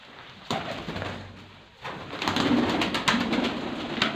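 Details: Pigeons cooing indoors, low soft murmuring coos around 200 to 400, rolling and overlapping, with scattered knocks and shuffling noises in a small room.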